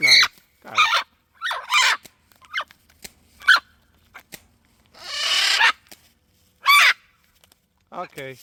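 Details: Rescued macaws and other parrots at morning feeding time in an aviary give harsh, broad screeches in short bursts, several loud squawks over a few seconds, while a woman talks softly and offers food between calls.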